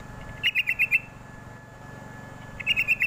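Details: Lure call of a sooty-headed bulbul for prompting young birds to respond: a run of five clipped, ringing chirps, a pause, then another rapid series of four, with faint low hum beneath.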